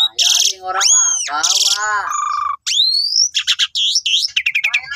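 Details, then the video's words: Asian pied starling delivering a loud master song used to train cage birds, mixing harsh buzzy bursts, long arching whistles, a rising squeal and quick wavering chirps in rapid succession. "Guru vocal Jalak Suren Gacor 99% Ampuh"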